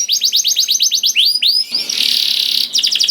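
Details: Canary song used as a prompt for canaries that rarely sing: a run of quick downslurred chirps, a few slower swooping notes, then a harsh buzzy roll before chirps resume.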